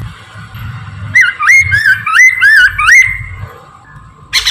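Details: Morning song of a Chinese hwamei, played as a lure to attract and catch birds: five loud looping whistles rising and falling in quick succession, ending with a short harsh note, with a constant faint hum behind.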